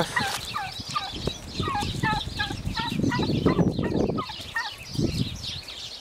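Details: Turkeys fighting over territory: a fast series of short, yelping notes repeated about every third of a second, with faint chirps of other birds and scuffling noise below.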